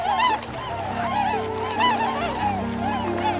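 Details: A flock of geese in the Anatolian wetlands beside farm fields honks with nasal, arched calls overlapping several times a second, over a low, steady musical drone; goose.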